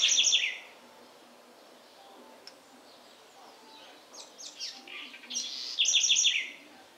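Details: House wren singing in the Sertão of Bahia, Brazil: a loud burst of rapid, high, ringing repeated notes opens, followed by softer scratchy twitters and a final quick, bright trill of repeated notes.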